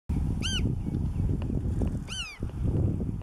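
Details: Black-tailed godwit filmed at Marken in June 2020: two harmonic nasal calls, each briefly rising then falling, about one and a half seconds apart, over steady low wind rumble.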